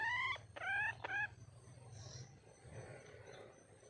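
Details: A female red junglefowl calls for a mate with three loud, harmonic, upward-sliding notes in quick succession, roughly half a second apart. Quieter rustling and a low steady hum follow.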